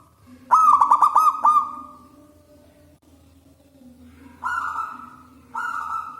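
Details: Local wild zebra dove with a loud, strong voice, used to lure doves: a fast burst of rolling, stuttering coos, a quiet gap, then two drawn-out coarse notes.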